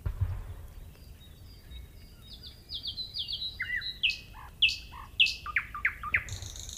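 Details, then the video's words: Quieter nightingale song: a series of soft descending whistled notes that build to louder, sharp, swooping phrases and rapid high notes, over light background hiss. "صوت العندليب"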